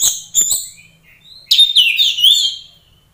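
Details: Oriental magpie-robin, its song meant to bait another magpie-robin into fighting: two quick scratchy high notes, a soft pause, then a long run of rapid, sliding, buzzy whistles.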